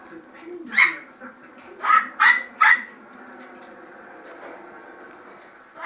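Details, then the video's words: Pet severe macaw, raised among Pomeranian dogs, imitating a dog's bark: one sharp bark, a pause, then three quick yapping barks in a row, followed by quiet room sound. "Severe Macaw barks like a dog"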